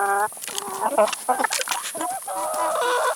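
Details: Chickens eating salad and vegetables, close and loud: a drawn-out nasal call, then quick clucks and a sustained harmonic squawk, with pecking sounds between them.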